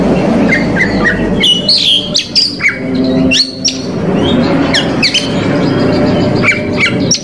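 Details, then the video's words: Oriental magpie-robin, whose song is used to provoke rival males. It gives a varied run of clear whistled notes, slurred rises and sharp chips in quick succession, over a steady mid-pitched background murmur. "KACER COR DOR BONGKAR ISIAN PAS UNTUK MEMANCING KACER LAWAN"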